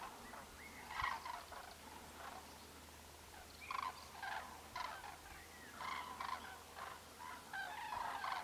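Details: Bursts of rattling, bugling crane calls come in irregular clusters separated by quieter gaps, with short harsh notes and a low steady hum underneath.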